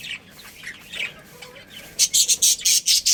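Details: Budgerigars chirping in a colony; soft scattered chirps give way to a run of loud harsh squawking notes repeated about every quarter second.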